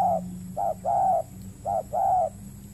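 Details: Wild spotted dove on peatland in Riau Islands, Indonesia, reacting to a decoy bird used for trapping; mellow coos in short-long pairs, a trailing note opening, then two full pairs, with a faint low drone beneath.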